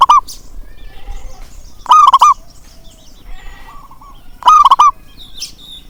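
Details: Local zebra dove cooing to rouse a bird that will not sing: loud pulsed coos about every two and a half seconds, faint softer coos and brief chirps between.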